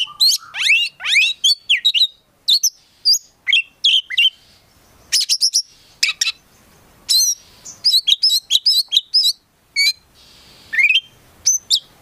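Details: Oriental magpie-robin, called kacer, singing a long varied sequence: rapid sweeping whistles, high chips and trilled fragments in bursts, with brief silent gaps between phrases.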